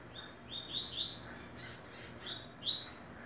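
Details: Coleiro (double-collared seedeater) singing at the last ACPB tournament of 2018: a series of rising, whistled notes climbing in steps, then softer scattered notes and a final brief high whistle, with low background hum.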